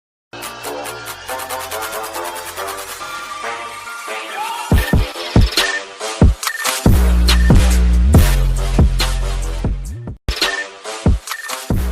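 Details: Electronic music with heavy bass and sharp beats is heard, and no animal sound can be picked out.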